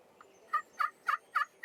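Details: A Merriam's wild turkey tom in the Black Hills of South Dakota, gobbling and strutting in spring hunting season on a beautiful day, gobbles in a quick, throaty rattle of five rough pulses, about three each second, over a quiet background.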